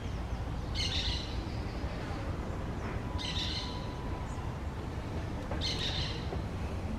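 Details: Green parakeets at their nest: three harsh, raspy squawk bursts, each about half a second long, spaced roughly two and a half seconds apart, over a steady low rumble of background noise.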